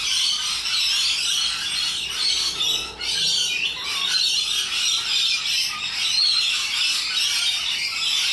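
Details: Flocking rainbow lorikeets, known for loud, obnoxious ways in the wild in Australia, produce a steady wall of harsh, scratchy shrieks with a momentary dip before the chorus swells again.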